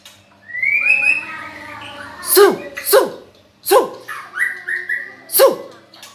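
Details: Nine-month-old white-rumped shama singing loudly: a long rising whistle opens, followed by harsh downward-swept notes repeated about every second and short clear whistles between them.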